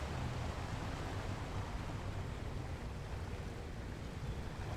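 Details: Wind buffeting the microphone on the coast of central Argentina, a low rumbling roar with no calls heard.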